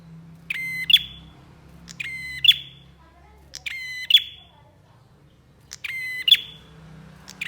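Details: Bar-winged prinia in vigorous training song, giving four buzzy phrases spaced about one and a half seconds apart. Each has a click, a flat reedy buzz and a sharp piercing finish, with a low hum throughout.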